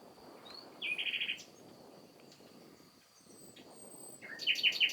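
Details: Common nightingale singing in spring: a short buzzy rattled phrase, then after a pause a burst of rapid, repeated bright notes, over a steady high thin tone and soft background hiss.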